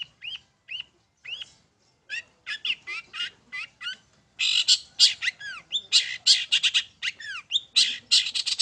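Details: Long-tailed shrike lure song in the 'main satu titik' style to provoke birds to sing: spaced rising whistles at first, then increasingly rapid harsh, rasping notes mixed with arched whistled slurs toward the end.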